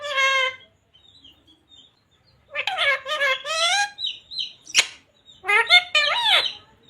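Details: Green ringneck parrot talking, repeating "radhe radhe": an opening shrill tone, then a run of raspy, speech-like syllables with bending pitch, a sharp click, and a last curling phrase, with soft high chirps between them.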